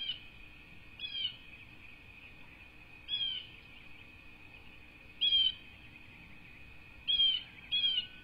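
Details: Bald eagle nest with two chicks on a cattle ranch in Southwest Florida, USA, rebuilt after Hurricane Ian destroyed it in 2022, dated 5-2-24; short high chirping calls with a downward slur arrive about every two seconds over a steady high hum.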